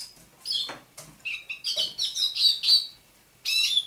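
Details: Captive thrush nightingale, caught near Saint Petersburg in May 2019, singing at dawn on 27 November 2021: scattered high chirps and short slurred notes, a broken burst and then a brief pause before another bright phrase.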